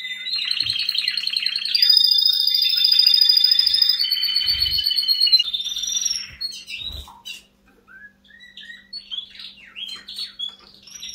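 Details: Canary singing a loud, rapid song: high buzzy trills and rolled rattles held for a second or two each, then shifting to short chirps and sweeping whistled notes after a brief pause.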